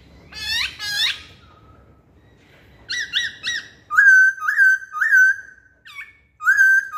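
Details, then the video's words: Masked laughingthrush (poksay hongkong) lure song: two harsh rasping bursts, then quick triple chirps and a repeated pattern of loud whistles that rise and flatten out, roughly every half second. "Kicauan Poksay Hongkong"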